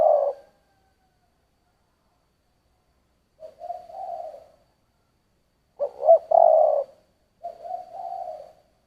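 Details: Spotted dove with giọng thổ style cooing: a loud note, a long silent pause, then a soft drawn coo, a stronger stuttered phrase, and a further gentle coo.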